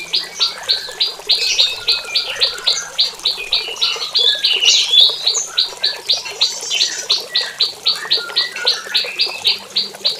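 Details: Morning prinia in a small aviary, calling for a mate with a steady train of clipped, high, buzzy notes, roughly three and a half per second for ten seconds, with brief extra twitters mid-series.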